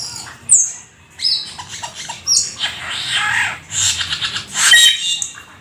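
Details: A black-winged starling sings in gacor full isian style: a high thin whistle, then harsh grating, buzzy bursts and rasping squawks across the clip.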